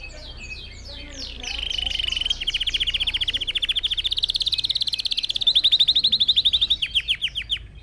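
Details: Red factor canary singing, used to teach other birds song: opening downslurred notes lead into extended rolling trills that rise slightly in pitch, finishing with slower, separated chips.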